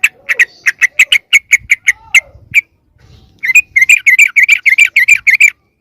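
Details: Yellow-vented bulbul lure call used to attract wild bulbuls. Sharp single chirps repeat steadily about every quarter second, then after a short pause a fast bubbly run of chattering notes follows.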